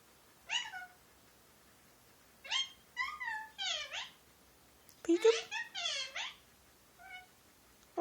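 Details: Male Indian ringneck parakeet kept as a pet, talking; phrases include peek-a-boo, give me a kiss, thank you. Bursts of rich, harmonic, wavering syllables come in quick clusters, with one brief click midway and near silence between.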